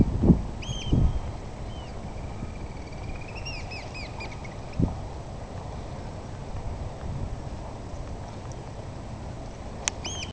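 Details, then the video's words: Eurasian oystercatcher: a few piercing piping notes at the start, then a short accelerating burst of shrill calls midway, followed by quiet background hiss and occasional low thumps. "meriharakan huuto"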